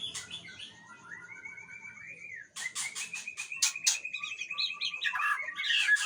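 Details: White-rumped shama of the Aceh type: a long, level trilled whistle rising at the end, then loud clicking notes and a sustained warbling trill.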